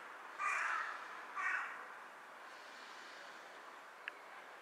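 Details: A Carrion crow perched on a power line, bowing as it calls on 18 July 2023 around 14:53, gives two harsh, hoarse caws about a second apart, then falls quiet over a soft background hiss.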